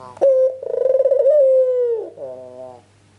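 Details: Ringneck dove calling vigorously as a lure for replying birds: an abrupt loud coo with rapid pulsing, gently descending over nearly two seconds, then a quieter lower rolling phrase fading out.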